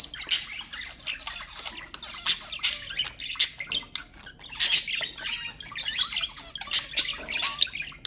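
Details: Budgerigars chattering to stimulate other budgies: dense run of scratchy high squawks and quick chirps, bursting every half second or so with warbling between, no pause throughout.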